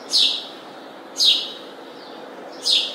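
A house sparrow gives three bright, downslurred chirps spaced about a second apart over faint background hiss.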